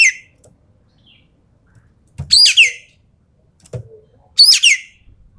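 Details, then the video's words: Javan pied starling (ekek keling) singing tembakan: separated loud bursts of harsh, squealing whistles sliding downward, about every two seconds, with soft knocks and thumps between them. "BURUNG EKEK KELING SUARA FULL TEMBAKAN"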